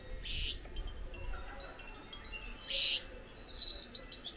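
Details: Pet Gouldian finch pair: two brief hissy bursts, then a string of very high, thin whistled and buzzy notes sweeping downward in the last second and a half.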